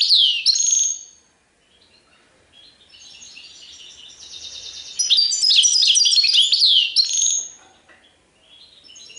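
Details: European goldfinch song, caged bird: bursts of bright twittering and buzzy trills high in pitch, a short phrase at the start, a pause, then a longer run of rapid chattering notes and trills.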